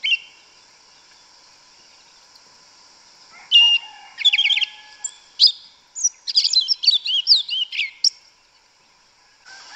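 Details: In forest, a yellow-legged thrush delivers its 'canto mateiro': after a few quiet seconds, a long varied outpouring of trills, slurred whistles and rapid squeaky notes lasting about five seconds, with a faint low tone beneath and steady high hiss.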